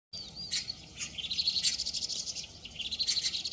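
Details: A pair of vinous-throated parrotbills in mating season give thin, high twittering chips in quick runs, with a few sharper buzzy notes between them over faint background hiss.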